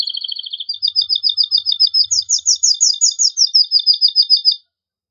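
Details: Strong, excited song of a male canary, sung to stimulate pairing: an unbroken run of rapid rhythmic chirped syllables, pitch rising briefly midway then settling, ending abruptly into silence.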